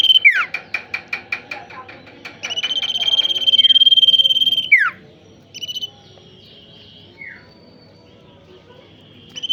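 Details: Male tailorbird, called a vocal fighter, opens with a quick series of sharp, high down-slurred notes. A sustained rapid buzzy trill follows, then a steep down-slurred whistle, brief trill fragments and scattered falling notes over low background hum.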